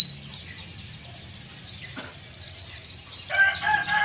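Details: Breeding-condition white-eye challenging rivals with continuous thin, high twittering notes, while a rooster crows loudly over the final second.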